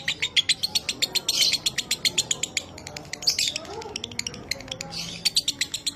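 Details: Training recording of lovebird 'minor kering' song for pet birds: quick staccato chirps around four per second, broken by a few brief squeaky flourishes.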